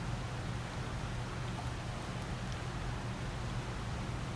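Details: Low steady hum under broad hiss, with a few faint ticks and no animal voice.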